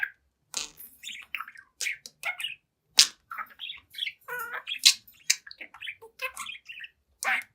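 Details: Pet budgie aged seven months, dancing and chatting in front of its mirror, giving a busy mix of harsh squawks, trilled notes and soft muttered chatter, with a few louder screeches.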